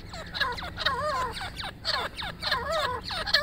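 A female francolin gives harsh, wavering notes that bend up and down, several in quick succession about every half second, over a low steady hum.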